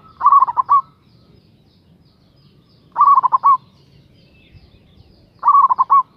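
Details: Local zebra dove singing in a big, lively voice to provoke a rival; short rolling bursts of quick, stuttered coos, each lasting about half a second, returning every two and a half seconds against faint low rumble.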